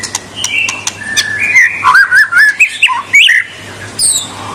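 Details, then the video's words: A white-rumped shama sings vigorously to provoke rivals, moving from short sharp ticks and flat whistles into a fluid series of looping, rising and falling whistled notes, ending in high thin squeaks. "Suara kicau murai batu super gacor.Membuat Murai lawan mbagong"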